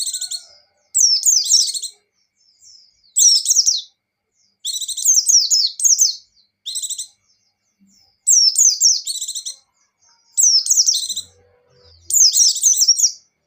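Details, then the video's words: White-eye singing hard in ngecir style, buxtoni type: repeated one-second bursts of tumbling high twittering notes mixed with buzzy chirps, phrases every one to two seconds in a steady rhythm. "Suara Burung Pleci Gacor + Pleci Ngecir"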